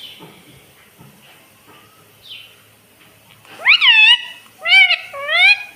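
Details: Pet ringneck parrot talking "Mummy Papa" over a steady background hiss: faint murmurs first, then three loud, high, speech-like syllables with wavering, bending pitch.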